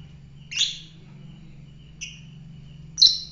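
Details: Fighter lovebird calling with three sharp, shrill chirps spread over a few seconds, the last the loudest, over a constant low hum.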